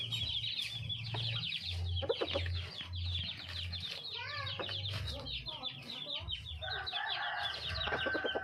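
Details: A junglefowl calls for a partner with brief wavering clucks that rise and fall in quick bursts. Dense high twittering runs throughout over a steady low droning background.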